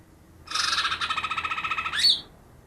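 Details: Greater green leafbird, trapped two days before and said to mimic ten other birds, delivers one sustained fast pulsed trill lasting about one and a half seconds, ending in a sharp upward whistle.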